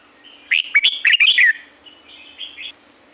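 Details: Red-whiskered bulbul in the wild at Pa La-u forest, Thailand: a quick burst of cheerful, bubbling whistled notes, then a softer and shorter warbled phrase, over a faint low steady hum.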